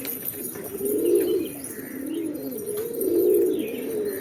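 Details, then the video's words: Two swelling pigeon coos about two seconds apart, each a deep rounded purr that builds and fades, with quieter murmuring coos between and faint chirps above. "Pigeons | Cat Tv For Cats To Watch Birds | Beautiful Birds chirping Sound"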